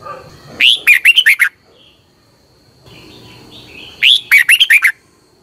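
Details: Red-whiskered bulbul, caged bird in Thailand, sings two matching short phrases of fluty, bubbling notes about three and a half seconds apart, used each morning for training; faint steady tone and soft background.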